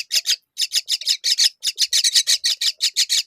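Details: A myna feeding fig to her chicks gives harsh, rasping squawks in quick runs, several each second, broken by brief pauses; high and scratchy with nothing else heard.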